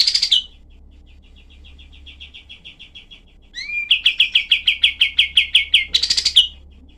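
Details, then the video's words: Rough, tightly spaced 'shot' song of a cream-vented bulbul, recommended as routine tutoring for cucak ijo and other songbirds. A harsh buzzy burst, a faint soft run, then a loud, fast series of clipped notes and another raspy burst. "masteran kapas tembak untuk semua burung"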